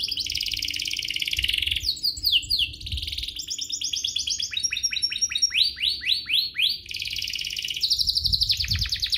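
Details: Canary singing a long varied lure song to provoke other canaries: shifting tours of dense trills, swooping sweeps and rapid rolls, with a faint low rumble beneath.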